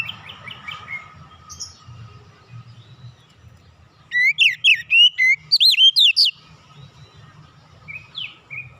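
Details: Oriental magpie-robin song meant to provoke other birds into singing: after quiet opening chirps, a burst of loud, rapidly repeated looping whistles about two seconds long, then softer short notes against a low hum.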